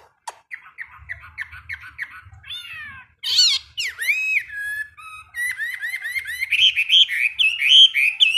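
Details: Chinese hwamei kept in a cage, singing during daily morning practice: a varied stream of whistled phrases, some harsh and squawky, others sweet and slurred, growing louder and faster toward the end.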